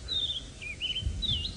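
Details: Robins singing at sunrise, 6 AM, 22 April 2018, Djuma Game Reserve, Sabi Sand, South African bush: clear whistled phrases sliding down then lifting again, strung together in quick succession, over a low rumble of wind or engine.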